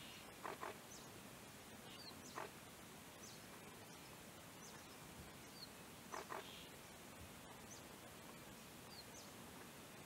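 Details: A male Mrs. Hume's pheasant in Doi Pha Hom Pok National Park, northern Thailand, gives short, hoarse clucking bursts in small clusters a few seconds apart, over a steady outdoor hiss with faint high chirps of small birds.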